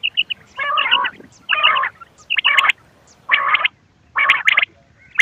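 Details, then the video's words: Quail sounds meant to draw birds in for hunting: harsh, buzzy bursts about every second, with quick high notes between them. "بٹیر کی آواز شکار کیلئے quail bird sounds for hunting bater ki awaaz"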